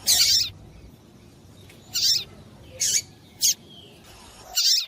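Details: Female double-collared seedeater giving calls to excite the male; longer buzzy high notes and short sharp chirps at irregular gaps of about half a second to one second, faint hiss in between.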